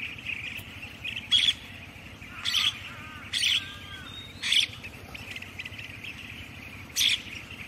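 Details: Common myna calling amid a steady background of other chirping birds: five loud, harsh, scratchy bursts, each brief, spaced about one second apart, over constant low hiss.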